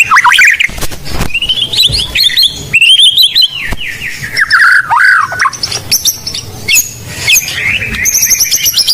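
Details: White-rumped shama of the Blorok type, singing as a lure to train other birds: varied loud whistled phrases, sliding and warbling, mixed with clicks and harsh bursts, somewhat distorted.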